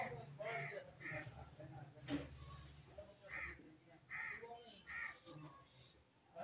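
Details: Ringneck parrot vocalizing: a string of harsh, clipped squawks and softer chattering notes, irregularly spaced, with a sharp click near the middle and a faint low hum throughout.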